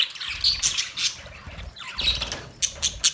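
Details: Budgerigar chirps and squeaks in quick succession, scratchy warbled phrases with a few sharp high whistles, ending in a rapid series of bright chirps.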